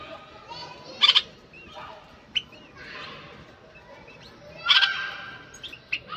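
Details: Bulbul kept in a cage, singing to stir the female into mating; two loud bursts of whistled chirps about four seconds apart, separated by softer short notes and faint twitters.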